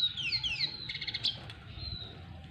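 A red siskin sings a quick, high, twittering phrase of falling sweeps and buzzy notes, then a thin drawn-out note, to court a female. Faint low background noise.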